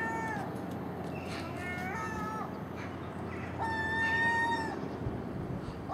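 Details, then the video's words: Common gulls squabbling over garbage left outside a house overnight, early morning, with magpies and crows present; drawn-out, nasal mewing cries with layered overtones, a long loud wail near the end over steady background hum. "Common Gull Magpie and Crow making noise at early morning"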